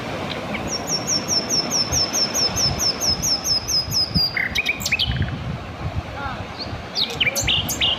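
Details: Mugimaki flycatcher song: a quick series of sharp, high, slightly descending whistled notes repeated about twice a second, followed by scattered brief chirps and ticks against a low hiss.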